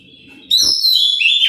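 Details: Oriental magpie-robin (kacer) song, played to provoke other birds into answering: after a quiet start, a sudden loud, high, piercing whistled phrase, sliding down at its end, with a brief soft thump.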